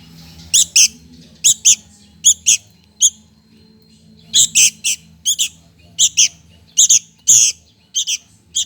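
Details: Sooty-headed bulbul chick begging for food: harsh, raspy high chirps, often in quick pairs, about twenty bursts in under nine seconds with irregular pauses between groups, over a faint low background hum.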